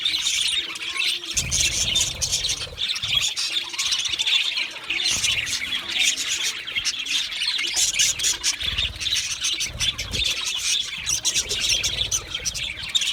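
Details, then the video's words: Many Australian budgies chattering, a long unbroken stream of high warbling, chirps and occasional harsh squawks, with intermittent low thuds. "Budgie singing and chirping sounds | Australian Budgie sounds"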